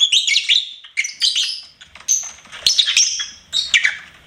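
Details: Lovebird kept as a pet, singing and chirping in a lively, continuous stream of shrill, squeaky twitters and downward-slurred notes, grouped in roughly half-second bursts.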